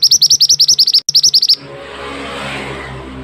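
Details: Pied bushchat, known locally as mantenan, on a masteran training recording: a rapid run of bright, high, curling notes broken by a brief dropout, then steady hiss with no singing.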